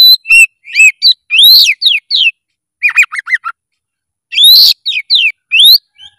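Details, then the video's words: Loud, varied song of an oriental magpie-robin: clear whistles, rising sweeps and falling slurs in quick bursts, a short pause, then another vigorous whistled phrase; quiet background. "SUARA KACER GACOR FULL EMOSI"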